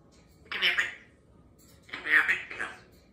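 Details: Female Congo African grey parrot, a happy and chatty pet kept indoors, talking one morning while being taught new phrases: two short, raspy, voice-like utterances about a second and a half apart, in a quiet room.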